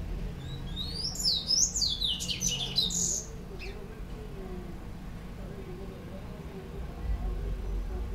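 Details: Orange-billed white-collared seedeater, a looked-after pet bird that sings often; one burst of rapid, high, rolling whistles and chips lasting about two seconds, then near silence with faint room noise and a soft low drone.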